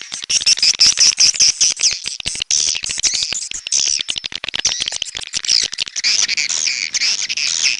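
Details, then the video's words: Shrill, densely packed chirps and trilled twitters from edible-nest swiftlets, red-nest type, played as lure calls, almost continuous at about two to three notes per second with overlapping voices. "SUARA BURUNG WALET - Royal Wellness WALET SARANG MERAH"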